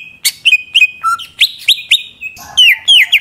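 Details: Short burst of greater green leafbird song, used to provoke rival singing: clear whistled notes rising and falling, quickly repeated, with a bright sweeping note toward the end.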